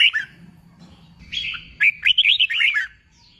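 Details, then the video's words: A red-whiskered bulbul, newly caught from the wild and being trained for singing contests, gives a short burst of rapid, looping whistled notes after a brief opening chirp, then falls quiet. "Kích bổi nghe là hót, luyện chim hót đấu, luyện chào mào bổi sổ giọng"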